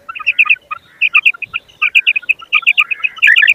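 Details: Common quail giving rapid runs of bright, clipped triplet notes, phrases crowding closely together with brief gaps and an extra lower note under some, ending in a denser burst.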